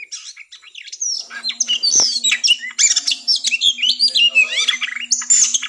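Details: An Oriental magpie-robin sings a fast, high, restless run of sweet whistles, slurred notes and harsh chattering phrases, with a faint low hum behind it.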